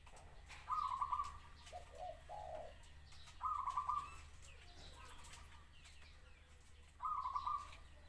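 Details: Zebra dove delivering three rapid, staccato trilled coo phrases roughly three seconds apart, the first trailed by a couple of lower, softer coo notes, over steady low background hum outdoors.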